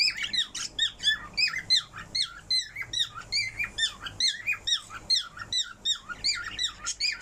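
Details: Parrot singing inside a small room, delivering quick runs of shrill whistles and squeaks that bend up and down, packed closely together in a lively, chattering sequence.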